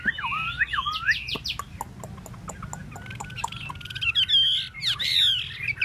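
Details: Tail-spreading Chinese hwamei opens with swooping, looping whistles. A stretch of dry ticking and soft notes follows, then more clear whistled slurs close the phrase.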